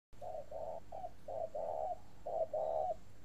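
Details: Spotted dove, a caged bird kept by a northern Vietnamese dove breeder, giving a long unbroken cooing series: low, mellow paired coos, a short note then a longer one, repeated about once a second.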